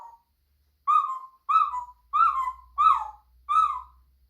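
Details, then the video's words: Pet African grey parrot indoors making noises: five evenly spaced, mid-pitched whistled notes, each slightly falling and repeated about every 0.7 seconds, with a faint low hum behind. "African grey makes noise"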